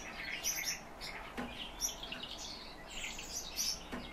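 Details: Calandra lark singing a lively, varied stream of high chirps and twitters, with sharp notes and short trills scattered over about four seconds and no other clear sounds.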